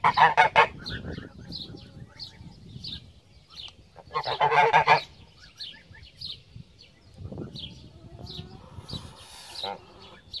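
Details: Pomeranian goose, a domestic breed descended from the Greylag goose, giving loud, harsh, nasal honks in short bursts, with softer chatter and faint chirps between them; honking call.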